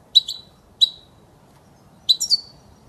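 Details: Goldfinch song meant for teaching chicks: a crisp double chirp, a single chirp, then a quick three-note twittering flourish, all high and clear against a quiet background.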